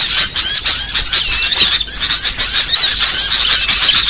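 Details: Small birds' lure call for trapping, a loud, crowded mass of shrill chirps and quick slurred whistles layered over one another, sweeping up and down without a break.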